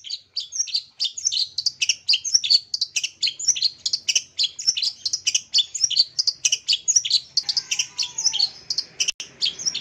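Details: Long-tailed shrike song played to stimulate silent caged birds: dense run of harsh, scratchy chattering notes and varied chirps, rapid and continuous, some buzzy bursts, with faint low hum underneath.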